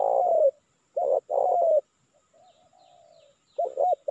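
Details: Spotted dove calling as a lure for wild birds. Long falling coos alternate with pairs of short rounded notes, and a faint, softer coo trails between phrases.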